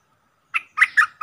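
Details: Decoy Streak-eared Bulbul in a cage calls out to wild bulbuls, giving a lone chirp followed by a quick run of bubbly, warbling notes.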